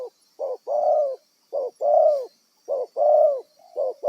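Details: Wild spotted dove kept as a trapping decoy, giving low hoarse coos: a short clipped note then a longer drawn-out coo, paired and repeated about once a second over a faint steady high hiss.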